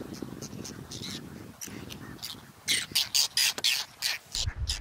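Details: Whiskered terns at a nesting colony in the Astrakhan reserve, Russia, late July 2017, filmed from a drone. A low mechanical hum dominates the first half, then loud, harsh, rasping tern calls break out in a rapid series.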